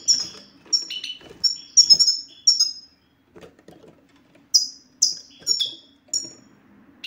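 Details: European goldfinch giving 'satsata' ('batbata') song meant to prompt mute males into song: a run of clear, high, down-slurred chirps, a pause of about a second and a half, then spaced ringing notes.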